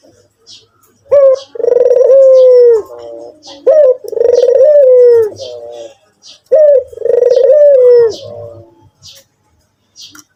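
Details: A white Barbary dove calls actively with three repeated phrases, each a sharp rising note, then a long rolling, trembling coo that falls at the end and trails into soft buzzy notes.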